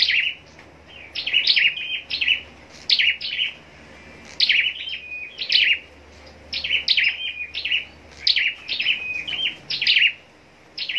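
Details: Scarlet-backed flowerpecker kept for competitive singing, pouring out clusters of high, sharp chirps and tinkling trills in phrases of two or three notes, grouped in bursts with short gaps, faint low hum beneath.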